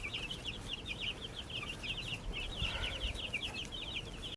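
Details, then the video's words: Baby chicks cheeping in a backyard, a steady run of rapid high, slightly downslurred peeps from many birds, over a soft hissing background. "Baby Chicks Chirping Sounds"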